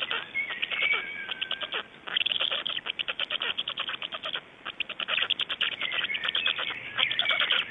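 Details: Black storks in Estonia at dawn on 26 May 2012 (05:15) give quick, regular bursts of dry clattering. The rapid pulse trains are interspersed with brief sliding whistles and a pause around two seconds.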